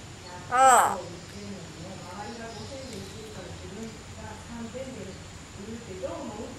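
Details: Common hill myna sunbathing after a mist-spray bath, recorded 11 December 2015; one loud, harsh, harmonic-rich call bursts out near the start, then only soft, low murmuring sounds continue in a quiet indoor background.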